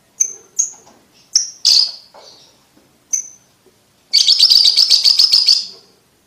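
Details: Lovebird ticking calls, used as a tutor sound to help young lovebirds trill quickly: a handful of sharp, high chirps at uneven spacing, then a buzzy rapid trill lasting over a second near the end.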